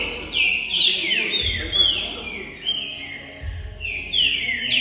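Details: A Green-winged Saltator (Saltator similis) sings loud, clear whistled phrases that slur downward, repeated in quick succession, with a couple of soft low thumps; the song is meant to fire up other saltators.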